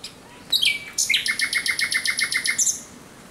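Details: At night on 17 May 2023 a thrush nightingale sings one phrase: a sharp opening note and a descending whistle, then a long, even series of about fifteen loud, rhythmic chopping notes.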